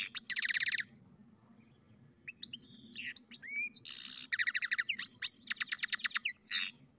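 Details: Hybrid European goldfinch and canary mule in song, mixing buzzy bursts, fast repeated trill notes and clear rising and falling whistles, after a short quiet gap near the start.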